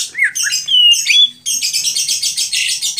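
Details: Greater green leafbird singing during a bird contest: looping whistled upslurs and a long pure whistle, then a dense buzzy chattering stretch.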